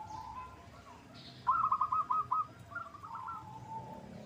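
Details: Zebra dove of local perkutut stock on a lure recording to get birds answering; a quiet, distant-sounding run of rapid hooked coos, then a shorter, blurred second phrase amid background hiss.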